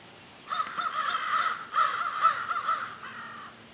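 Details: Crows cawing at length in a group conversation, harsh nasal calls strung almost continuously for three seconds, rising and falling in loudness with slight overlaps between birds.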